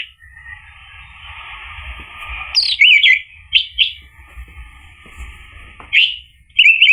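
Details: Song of an orange-headed thrush, used to coax a male to sing: a long soft whistled phrase followed by short loud squeaky warbled notes and brief bursts separated by pauses.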